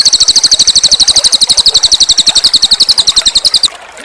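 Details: A Cililin bird sings energetically in a master recording: a continuous rapid stream of shrill, high, repeated notes lasting over three seconds, then stopping abruptly, with faint water and low thumping pulses underneath.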